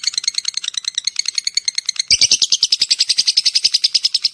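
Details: Long lovebird 'ngekek' chatter to call in others of its kind: sharp, high, staccato notes in quick succession, jumping louder and buzzier after two seconds with a faint knock underneath.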